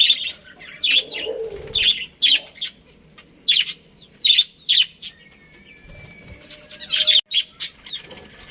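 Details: Budgerigars of a breeding pair in a colony chirp in sharp, high, repeated notes roughly every half second in short series, with a brief whistled tone and quieter chatter from other birds.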